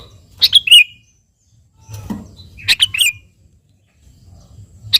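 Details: An actively singing sooty-headed bulbul calls a rival with two rich, gurgling phrases of several quick notes. A faint low thud falls between the phrases.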